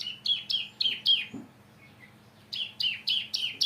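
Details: Caged bar-winged prinia from a breeding program, judged not yet in full song form, giving bursts of sharp descending chirps repeated rapidly, in two series separated by a quiet pause.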